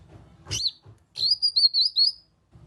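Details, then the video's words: Grey-cheeked bulbul lure call meant to prompt other birds into song: a short sharp note followed by a rapid, wavering run of high whistled notes lasting about a second, with faint low rumble behind. "Pancingan Burung Kinoi agar ikut Bunyi Nyaut"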